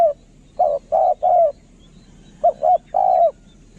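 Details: Spotted dove used as a decoy, singing kharom-style lure calls: a pair of brief coos followed by a longer sliding coo, the pattern heard twice against quiet background.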